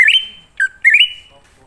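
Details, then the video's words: Wild greater green leafbird singing, used as a lure for other leafbirds: two bright whistled phrases, each rising in small steps to a long steady tone, separated by a short lower note. "Pancingan Burung Cucak Ijo Ngalas Di Jamin Langsung Nyaut"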